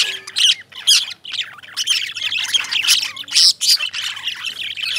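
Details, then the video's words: Several lovebirds chatter in sharp, shrill squawks and chirps, loud bursts roughly every half second overlapping into a noisy, high-pitched flock chorus. "Amazing Lovebirds Sounds, Love Birds Making Sounds,Love Birds Chirping,Chirping Sounds Of Love Birds"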